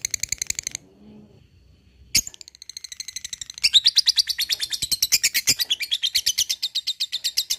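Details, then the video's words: Lovebird ngekek: a short burst of rapid chatter, a pause, a loud squawk, then a long, quickening train of high, sharp notes that swells in volume. "LOVEBIRD NGEKEK PANJANG GACOR"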